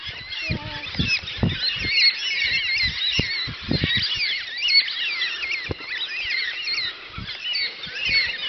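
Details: A flock of black cockatoos on a farm on a Sunday morning screech over one another, with harsh, wavering calls rising and falling nonstop, while low thumps and bumps sound close by.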